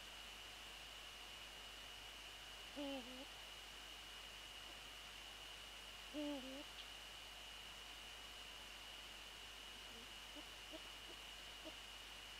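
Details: Eurasian eagle-owl at the nest site after dark on 13 January 2014, prey transfer nearby: two brief, kinked, tonal notes roughly three seconds apart, then soft faint notes, over steady hiss.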